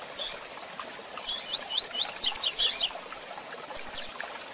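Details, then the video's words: Rusty-collared seedeater, kept for training, with female chirps: short high chirps, then a quick run of about seven bright rising notes near the middle, a few later chirps, over steady faint hiss. "Tui Tui Zel Zel Com Piados de Fêmeas Para Manejo"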